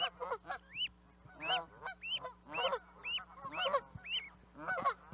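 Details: Canada goose honks delivered close to once per second, each a two-part nasal call climbing to a high inflected note, with softer lower calls between.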